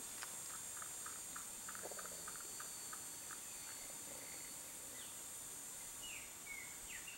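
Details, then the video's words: A male Blue-crowned Trogon (Trogon curucui) sings a run of soft, evenly spaced notes, about four a second, that fade away, with steady insect buzzing and a few other bird chirps behind it. "BLUE-CROWNED TROGON male singing"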